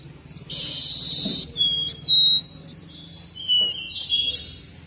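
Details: A caboclinho (seedeater), recorded in 2023 and described as singing with a lot of vigor. A series of clear whistled notes, some sliding up or down, comes after a short buzzy burst, over a faint low hum.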